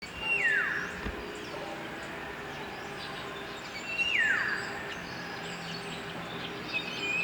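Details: A Philippine oriole, an endemic species, gives clear, fluty whistles that slide steeply downward, repeated every three to four seconds over a steady hiss of background, in an urban area in the Philippines.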